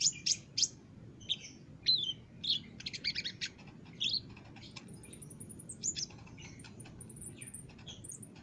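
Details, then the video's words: Olive-backed sunbird song as a training recording for caged birds: loud, high chirps and short trills packed at the start, easing into sparser notes, with thin, very high whistled strands near the end. "masteran burung konin gacor dor"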